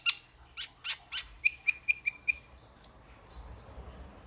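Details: Metallic starling giving a string of short, sharp, high notes that settle into a steady run of clipped two-toned chips about four per second, ending with a couple of thin, drawn-out whistles.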